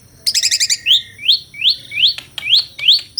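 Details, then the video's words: Asian pied starling (jalak suren) singing in captivity: a quick rattling burst of stacked notes, then a series of rising whistled slurs repeated about every half second. "SUARA KICAUAN BURUNG JALAK - JALAK SUREN GACOR MERDU SEKALI..!!"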